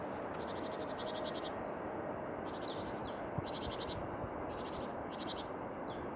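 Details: Tits in song: five harsh, buzzy chattering bursts alternate with sharp, high whistled notes and short falling slurs, over a continuous hiss.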